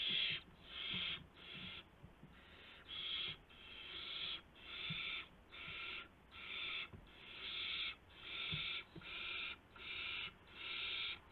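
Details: Owls at night on March 19, 2016, adults delivering prey to owlets after midnight; a steady series of loud, breathy rasping screeches, roughly one per second, with faint thumps and scratches between them.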